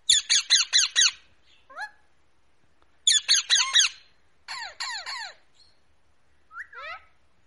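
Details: Rose-ringed parakeet giving loud harsh screeching squawks in rapid runs of four or five, with a few shorter descending squeaky notes between bursts, indoors.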